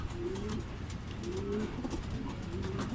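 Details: Racing pigeons back from a second truck training release at Guiguinto, Bulacan, the birds arriving fairly together; low throaty cooing rolls in three repeated phrases over steady background rumble.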